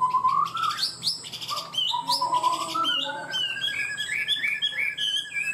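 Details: Chinese hwamei cage bird singing fast and steadily: a rising whistled slur opens, then varied sharp upswept notes, and finally a run of quick repeated whistled notes over a sustained tone.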